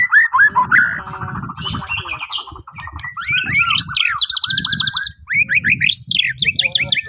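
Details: Borneo white-rumped shama song meant to prompt other birds into singing in the morning: rich, rapidly changing phrases of rattles, sharp upslurred whistles and high buzzy trills, over a low murmuring background.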